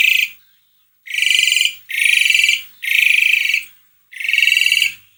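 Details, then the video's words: Asian pied starling song, played as a lure to get a reluctant starling singing: five loud, harsh, buzzy rasping bursts, each under a second long, separated by brief silences about a second apart. "Kicauan burung jalak suren gacor"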